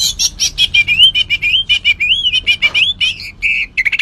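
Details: Javan white-eye in energetic full song: rapid high chirps and twittering whistles, fast sliding warbles and trills packed into dense bursts with no pauses.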